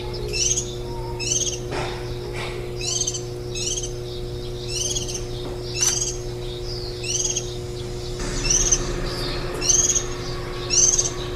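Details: Warbling white-eyes caring for ten-day-old nestlings on 23 July 2018, one day before fledging; rapid series of high, raspy, layered chirps, roughly one per second, growing louder near the end, over a constant mechanical hum.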